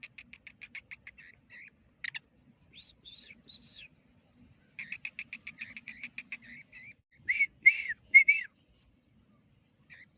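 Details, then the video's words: Black francolin chick, a young teetar, peeping in quick runs of thin high notes, about two per second, broken by pauses, ending with a few louder slurred whistles. "Teetar Sound !Black Francolinus! Cute Baby Most Amazing teetar Black Francolinus teetar chick voice"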